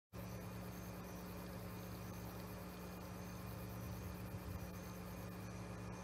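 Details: After a brief silent start, even hissing noise and a droning low hum continue unchanged, with no animal sound present.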